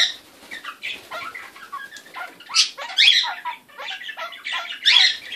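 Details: A pet kakariki parrot makes funny, weird noises: a run of quick, high, scratchy chattering notes and squeaks, with louder bursts near the end, over faint wing flutters.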